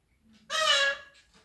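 An Indian ringneck parakeet gives one bright, nasal meow about half a second long, copying a cat. A faint, low human voice murmurs around it.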